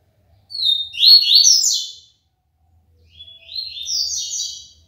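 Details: Papa-capim seedeater from Aracaju, Sergipe, Brazil, in its 'tui tui limpo' song: two quick high phrases of slurred, buzzy notes sweeping upward, the second softer, with a short silence between them.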